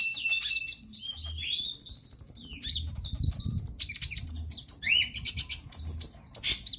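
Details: Varied sunbird song used to get silent birds singing: long thin whistles and rising slurs mixed with sharp chirps and buzzy rapid rattles, some notes very high.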